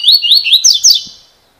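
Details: Part of a cilada-style song from a Double-collared seedeater: bright, upward-sweeping whistled notes in quick succession, the last two sharper and more slurred, ending in a fading trill.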